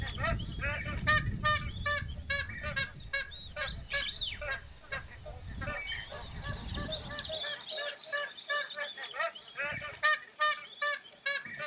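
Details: Magpie geese in Australia's Northern Territory calling together: dense, overlapping nasal honks, quick and uneven, about two or three per second, over a low rumbling background that fades after seven seconds.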